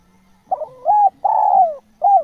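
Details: Natural spotted dove: a full cooing phrase of four notes. A short wavering opening is followed by a smooth mid-pitched coo, then a long coo that slides downward, and a final brief coo. A faint low hum sits beneath.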